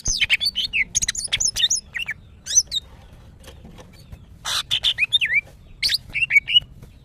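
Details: Female greater green leafbird in breeding condition, calling to attract males. Bursts of sharp broadband chips alternate with short slurred whistles that rise and fall, in two clusters separated by a pause of about a second and a half. Quiet background.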